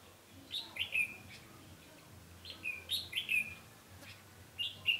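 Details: Red-whiskered bulbul singing as a decoy to attract wild birds at a trap, 20 November 2015; brief rolling whistled phrases about every two seconds with low background hum.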